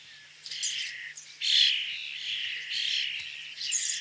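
A common starling gives harsh, buzzy, high-pitched bursts with scratchy whistled notes mixed in.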